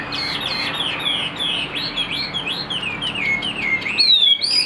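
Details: Kept Chinese hwamei, a cage songbird, delivering fast song of bright whistled notes, each swooping up and down, crowded several per second and ending in longer rising slurred whistles.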